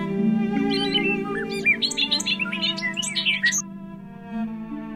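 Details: Bobolink (Dolichonyx oryzivorus) in fields pours out about three seconds of bubbling, metallic, R2-D2-like tumbling notes that jump quickly up and down, over a steady bowed-string music bed.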